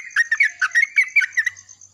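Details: Yellow-vented bulbul singing in the morning in reply to another bulbul: a dense run of bubbly, liquid chirped notes, tumbling up and down without pause.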